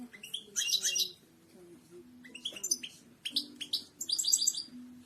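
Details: Royal goldfinch singing, used to train other birds to sing: clusters of bright, fast twittering notes and downward-sliding chirps in three bursts over a low, wavering hum.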